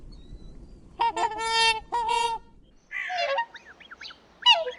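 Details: Two loud, brassy swan honks about a second apart, each held briefly with a rich layered tone. These are followed by a rougher, wavering call and a final short honk.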